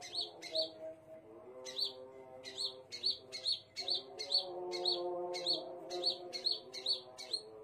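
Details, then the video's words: Scarlet minivet song of bright, high, clipped chirps. They come in quick irregular runs, about two per second at times, above a continuous low humming drone. "KICAUAN BURUNG SEPAH RAJA"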